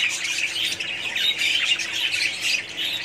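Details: Crowded budgerigar colony heard as a thick layer of high chirps and warbling squeaks, many voices blending into steady, lively chatter.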